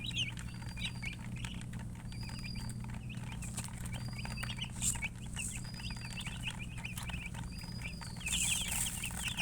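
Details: Many baby chickens peeping continuously, short high chirps overlapping in a dense stream, with a few longer whistled notes above and a steady low hum underneath.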